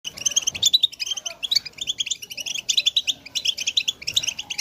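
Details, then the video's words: European goldfinches in a group chorus meant to stimulate males to sing, with mating and readiness calls: dense, bright twittering and tinkling notes in rapid overlapping bursts, almost continuous, with brief pauses. "بتبتة الحسون تحفيز الحسون على التغريد والهيجان علاج صمت الحسون goldfinch stimulation"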